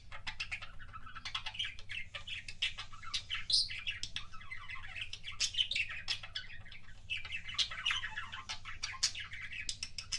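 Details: Budgerigar kissing sounds from a pet bird: nearly continuous rapid warbling mixed with sharp clicks and squeaks for about ten seconds, a constant low hum beneath.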